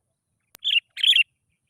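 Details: Sooty-headed bulbul song used as a lure to prompt other bulbuls into song. A sharp click, then two quick warbled chirping bursts close together.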